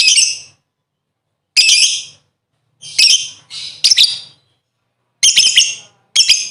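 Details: Lovebird calls played as a lure to prompt singing: short, harsh, high squawks and chirps in separate bursts about a second apart, some doubled, with silent gaps between.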